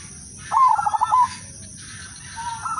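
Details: Zebra dove, udanmas silver strain, singing a melodious lure song to prompt other doves: one loud rolling, beaded coo phrase under a second long, then a faint distant answering coo, with a constant thin high hum.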